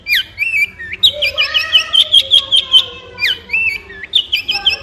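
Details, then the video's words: Long-tailed shrike in varied song, mixing wavering whistles and a long warbled phrase with harsh, slurred notes at its start and end. "Long Tailed Shrike With Beautiful Sound"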